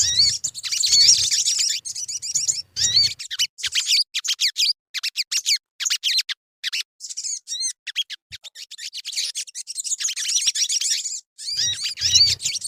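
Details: Crimson sunbird (sogon) lure recording intended to stir birds into singing: rapid bursts of thin, high chirps and squeaky upslurred notes in quick runs, with short silent gaps between phrases and brief low rumbles at the start and end.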